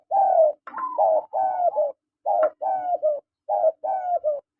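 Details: Male and female spotted doves calling: rapid series of mellow, husky coos, short notes followed by drawn-out slightly falling ones, phrases repeated with brief gaps, a faint click in between.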